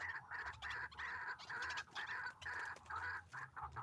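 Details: White-breasted waterhen calling during trapping with a hanging snare trap: loud, rough, croaking phrases repeated about twice a second.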